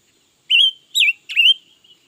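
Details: Red-billed leiothrix, recently obtained and said to sing all day long. Three loud fluty phrases come in quick sequence, the last swooping low before rising. A quiet thin note trails off afterward.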